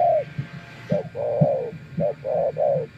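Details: Spotted dove, wild, replying to a decoy: soft short coos leading into drawn-out low notes, a few pairs close together, with low knocking sounds underneath.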